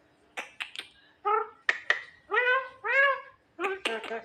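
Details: Javan myna, said to be clever and amusing, starts with crisp clicks, then gives a string of rising nasal notes and ends with a dense harsh chatter.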